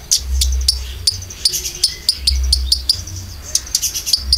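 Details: Caged-bird lure recording of Konin with filler song: rapid high clicking chirps in clusters, some doubled, with a steady low thumping pulse underneath.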